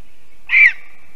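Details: Lesser spotted eagle female calling at her nest in a spruce in Zemgale, Latvia, after returning from Africa to breed, 6:06 PM on 11 April 2022: one loud, hoarse, slightly descending yelp against a thin steady background tone.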